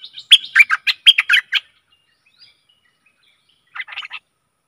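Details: Bulbul decoy sound for fierce wild birds, Stripe-throated bulbul: a loud burst of quick gurgling notes lasting under two seconds, silence, then a short softer chatter near the end.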